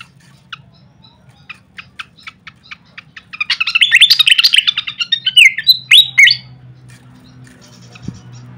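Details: Recorded as training material for songbirds, a pied fantail gives sparse soft ticks, then bursts into a loud rapid jumble of chirps and falling whistled slurs that stops abruptly, leaving a low hum.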